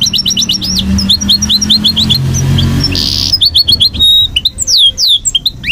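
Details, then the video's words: Caged goldfinch mule singing at night with repeated high chirps and looping whistled slurs, a brief buzzy burst and clear rising notes. A low hum runs underneath. "Mule Goldfinch Singing At Night"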